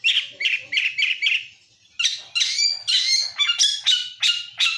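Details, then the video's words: Lacer bird lure song: a run of harsh, scratchy chirping notes repeated about twice a second, roughly five notes, a short pause, then about eight louder, buzzier notes. "PANCINGAN ISIAN FULL SUARA BURUNG LACER SUPER GACOR"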